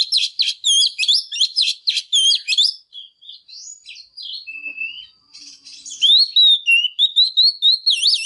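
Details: A female Oriental magpie-robin sings hard to rouse males. Fast, repeated chattering notes open the clip, then a quieter mix of whistles and a thin steady tone, then a renewed run of loud sliding whistles.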